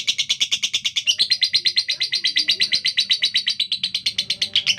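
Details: Caged female lovebird, a fighter bird known for a coarse, speedy voice: a relentless train of grating, raspy pulses at an even quick pace, with a brief higher squeak near the first second.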